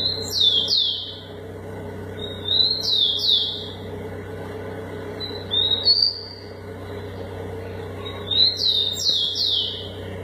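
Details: Rufous-collared sparrows in a singing dispute, trading high, sweet slurred whistles that drop and rise. Phrases come roughly every three seconds, with a steady low electrical hum underneath.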